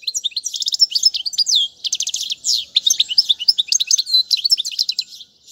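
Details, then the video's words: European goldfinch singing continuously for young birds to learn, the so-called royal goldfinch: bright, high, hurried twitter mixing rattling trills with short upward-sweeping chirps, hardly pausing. "أفضل تغريد الحسون"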